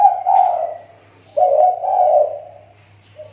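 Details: A kepri-type spotted dove lure bird, recovering its voice, utters two grainy, trilled coo phrases a second apart, each fading gently, and starts a third, with a low hum throughout.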